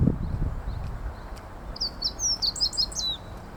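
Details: Meadow bunting in song along a usual walking route, delivering one quick high phrase of varied sweet chirps and short slurred whistles after a soft low thud at the start; faint ambient hum throughout.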